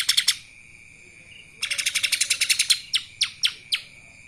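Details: Lesser green leafbird singing phrases in the kapas tembak style: a quick burst of bright chirps, a pause, then a fast run of sharp high notes ending in several spaced, downslurred chips. A steady high tone runs underneath.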